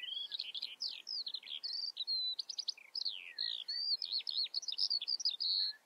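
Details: A Eurasian skylark delivers loud, high, nonstop song of rapid trills, buzzy bursts and swooping whistled notes, clear against a quiet background.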